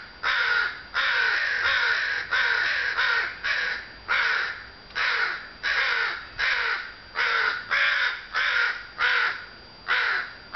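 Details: Unbroken series of about fifteen raspy caws from crows cawing in the early June afternoon sun, some calls overlapping.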